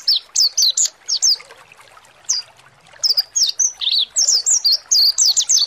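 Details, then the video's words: Mountain white-eye, ngalas style song meant to excite birds into singing: a quick burst of shrill slurred chirps, a short pause with one isolated note, then a longer busy chain of high twitters to the end. "PANCINGAN PLECI MONTY NGALAS BUKA PARUH"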